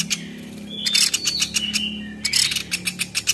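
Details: Velvet-fronted nuthatch, locally platuk beras, as a tutor for songbirds: brisk clusters of dry ticking notes mixed with rising and falling whistles, and a low steady hum underneath.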